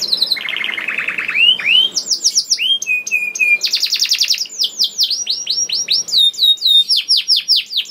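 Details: Singing canary, recorded as a lure to make other canaries sing; varied phrases of high trills, lower buzzy rolls and repeated down-curving whistled notes, each tour changing every second or so.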